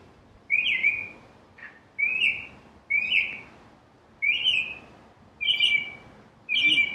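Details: A Northern cardinal repeats a single loud downslurred whistle about once every second, each note sweeping down, with quiet gaps between.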